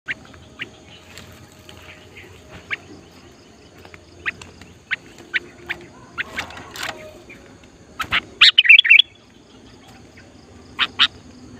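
Sooty-headed Bulbul giving short, high chirps every second or so, then a quick burst of bubbling, warbled notes, with faint rustling in the background.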